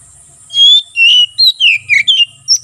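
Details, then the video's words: Oriental magpie-robin in continuous 'ngeplong' song, meant for training and luring wild birds in the forest: a rapid series of bright whistled notes, some sliding and falling, over a faint low hum. "BURUNG KACER NGEPLONG SUARA COCOK UNTUK MASTERAN DAN MIKAT KACER DI HUTAN"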